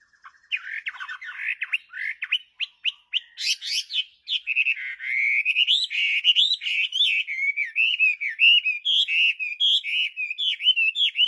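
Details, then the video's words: Chinese hwamei singing actively: a loud, fast, varied stream of whistled and buzzy notes. It opens with rapid chirps and slurred upsweeps, then settles into rolling, warbled phrases repeated over and over. "Kicauan Burung Hwamei//Wambi Gacor"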